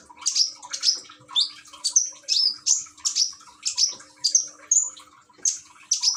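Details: Common iora kept in Gresik, East Java, singing alongside a gurgling-water therapy track, filmed on an Android phone: a run of high upslurred chirps, some buzzy, roughly two per second, with soft trickling water throughout.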